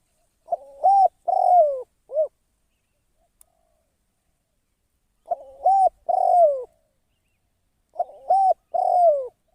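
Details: A decoy spotted dove used for trapping repeats a three-part coo: a short rising note, a longer drawn-out falling coo and a brief final coo, three phrases with pauses between.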